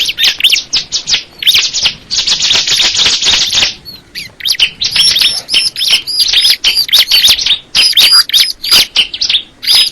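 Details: Bar-winged prinia of the crystal ciblek type singing a loud, high, rapid stream of sharp chirps and trills, with a dense unbroken buzzy burst early on, then thin whistled notes repeated over jumbled twittering.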